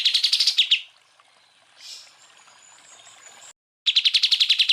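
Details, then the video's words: Greater green leafbird song for training other songbirds: fast, high, chattering note series at the start and end, with a quiet stretch in between carrying a thin, steady high whistle. "MASTERAN cucak ijo full tembakan"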